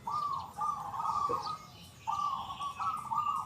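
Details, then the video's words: Loud, clear big-voiced 'kung' song of a local zebra dove in full voice: a long run of throbbing, warbled cooing, a short break, then another rapid rolling phrase. Light bird chirps behind. "PERKUTUT LOKAL GACOR SUARA KUNG BESAR YANG KERAS & JERNIH"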